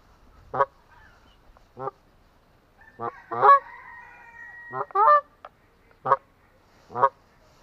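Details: Honks of an Atlantic Canada goose, short resonant nasal blasts roughly every second, a few paired notes, with a fainter sustained tone midway.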